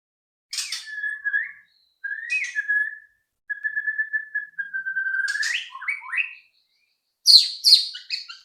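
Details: White-rumped shama song for prompting other birds to sing: sharp notes leading into long steady whistles, a sustained tremulous whistle, quick rising slurs, then loud harsh high bursts.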